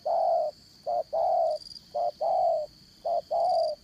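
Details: Decoy spotted dove for trapping in the 'dán cổ' style, 'Đồng Son' voice, giving mellow low coos in pairs, a brief note followed by a fuller drawn one, close and loud, with continuous shrill insects behind.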